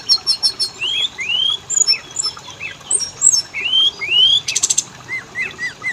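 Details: Magpie-robin song used as a lure so males and females sing: high clicks, rising slurred whistles and short flicked notes, with a brief buzzy burst midway.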